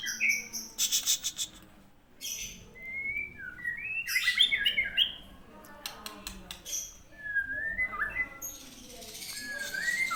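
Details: White-rumped shama of the Aceh type giving a series of clear, gliding whistled phrases, some rising, some falling, broken by bursts of sharp clicks and rattling noises between phrases.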